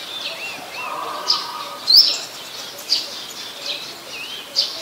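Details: Brown-throated sunbird, Ubon Ratchathani, Thailand, 13 January 2021, Nikon P1000 recording: piercing single chips roughly every 0.8 seconds, with one louder upward-flicked note and faint whistles and a hum from other birds.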